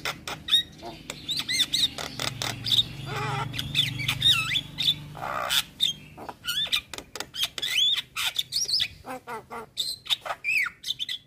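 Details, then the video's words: Gacor jalak kebo (Javan myna) masteran for training songbirds: wavering squeaky warbles, slurred whistles and clicks in a dense, continuous stream over faint low hum. "Masteran Jalak Gacor Tayang Setiap Hari Pagi Dabn Sore - Jalak Kebo Gacor Full Isian"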